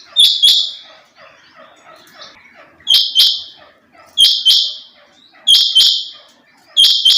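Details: Female rain quail calling with loud, raspy paired notes, five pairs spaced about every 1.3 seconds, faint soft chirping between them.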